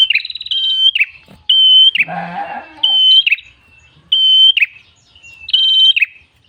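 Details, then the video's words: Red-headed tailorbird song for luring: high flat whistles, each snapping down at the end, repeated roughly every second, broken midway by a short noisy rustling burst. "PRENJAK KEPALA MERAH GACOR SUARA NGALUN ENAK COCOK UNTUK PIKAT/PANCINGAN BURUNG ANDA"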